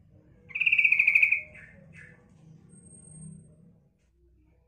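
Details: Female sooty-headed bulbul lure call for males: one harsh pulsed rattle under a second long, followed by two soft short notes and a faint thin high whine, over low rumbling background.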